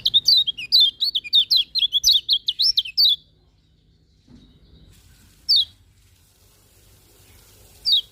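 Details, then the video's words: Lemon-bellied white-eye singing in the morning: a quick three-second run of high, bouncing, slurred whistles, about two notes a second, followed by quiet with two isolated sharp notes later. "Kicauan Kecial Kuning Pagi Hari"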